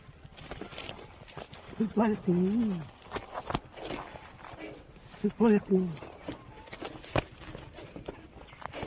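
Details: A 4-year-old male Australian musk duck (Biziura lobata), hand-reared from hatching, that learned to mimic environmental sounds, mimics human speech in two low, voiced, word-like phrases about three seconds apart, with rustling and footsteps behind.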